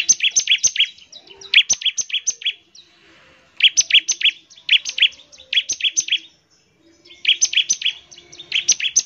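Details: Bar-winged prinia singing energetically to stimulate other birds: repeated phrases of fast, high, piercing chip notes, each burst lasting about a second with short gaps between.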